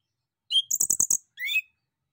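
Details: Male orange-headed thrush song, used as a lure to make other birds answer; a thin whistled note, then a quick run of four sharp high chips, and a final rising whistle, on a clean, quiet background.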